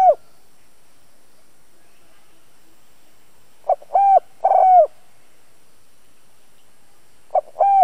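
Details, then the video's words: Spotted dove used as a decoy, voicing the 'chiêu thúc bổi' style to stir up wild birds. The tail of one coo opens the recording. A full phrase follows: a short note, then two longer hollow hoots. A new phrase begins near the end over a quiet background. "Chim cu gáy\ Tiếng cu gáy giọng hay CHIÊU THÚC BỔI\ cu gáy mồi cây kích bổi"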